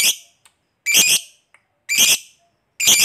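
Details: Kept fighter lovebird giving provocative calls meant to make other lovebirds respond: grating, noisy shrieks of about a third of a second, coming about once per second, with faint short clicks in the gaps.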